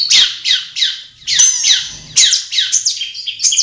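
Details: Wild Long-tailed shrike in its natural habitat, uttering loud, harsh, downslurred notes in quick succession, then a softer twittering run near the end.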